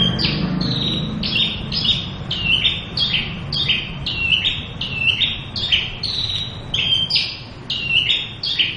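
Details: Full song of a local Javan bush lark, a quick even stream of short high notes that hop up and down in pitch, about two per second, with low background noise.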